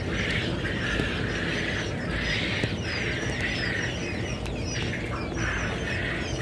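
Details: Peeping quail chicks, recorded 15 February 2021, calling in dense bursts of shrill, slightly buzzy chirps that come in waves about once a second. A continuous low droning noise runs underneath.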